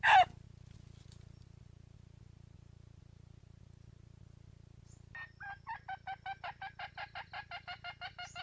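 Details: Wild junglefowl heard with one sharp squawk at the start, then after a long quiet pause a run of evenly spaced clucks, about three per second, over a constant low hum.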